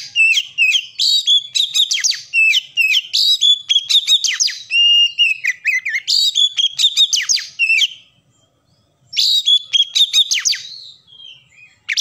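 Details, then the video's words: Oriental magpie-robin delivering loud, rich song: bursts of rapid chirps and sweeping whistles alternating with longer held whistled notes, a short silence near the end, then another lively phrase trailing into a soft whistle. "kacer gacor gayanya manteb banget"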